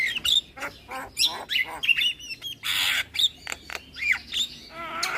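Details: Javan myna lure song crammed with imitations, aimed at making mynas answer: a fast mix of harsh squawks, chirps and short whistles, with a broad noisy burst near the middle.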